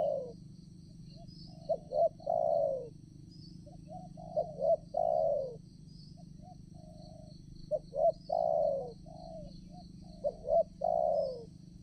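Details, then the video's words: Spotted dove decoy bird calling while luring wild doves for trapping at a fresh site; repeated phrases of short notes ending in long descending coos, answered by quieter coos from another dove, insects buzzing steadily. "BL ganteng untuk pecinta burung tekukur"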